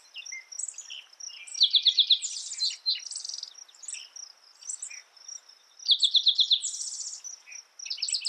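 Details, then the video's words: A spotted towhee sings twice, each time a fast sequence of bright notes that breaks into a grating buzzy trill. Many other small birds chirp in the background, and a faint insect whine continues. "Spotted Towhee Bird Sound, Bird Song, Bird Call"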